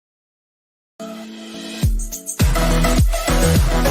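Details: After a second of silence, electronic dance music with a heavy pounding beat and sustained synth tones plays, with no animal calls.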